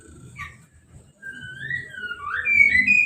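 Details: Caged orange-headed thrush sings right after moult and a hose shower, with no cover on the cage. Its sweet whistled notes rise and fall and grow louder toward the end over a low background rumble.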